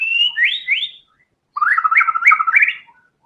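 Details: White-rumped shama in constant, fighter-style song: a high trill and two upward-swooping whistles, a short pause, then a fast run of bubbling, rising notes; used as a lure to get caged songbirds singing.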